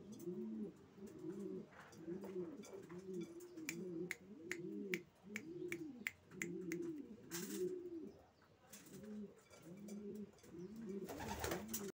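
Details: Racing pigeons keeping up a long chorus of low arched coos, several birds overlapping, with rapid sharp ticks and a couple of loud bursts of flapping or rustling.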